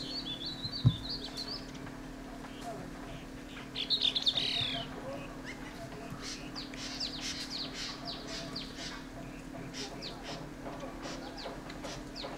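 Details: Dark-throated thrush (Turdus ruficollis) in Landour, Mussoorie, Uttarakhand, on 26 March 2014, investigating a maple tree hollow, giving thin, high squeaky notes: a short run at the start, then a brief twittering burst near four seconds, over a steady low hum.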